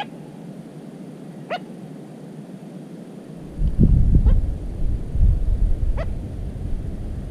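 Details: Little crake in cattails, 13 July 2017, giving three short, sharp, nasal 'kwek' notes spaced a couple of seconds apart, over a steady low rumble of wind or handling noise.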